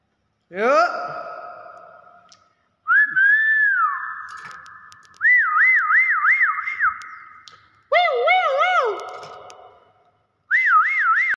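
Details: Common hill myna giving a sequence of clear whistles: a rising swoop, a held note, then several wavering, warbled phrases with a rapid up-and-down wobble, separated by short pauses.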